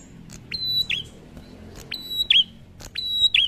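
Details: Prinia lure song that sets other prinias calling: a high, thin whistled phrase, a level note then a sharp dropping chirp, repeated about every second and a half over a quiet background.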